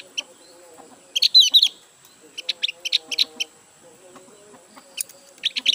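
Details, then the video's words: Recently purchased captive Javan grey-throated white-eye, still settling in and not yet in full song, delivers short bursts of high twittering chirps separated by pauses, with a soft low hum in the background. "suara burung opior jawa"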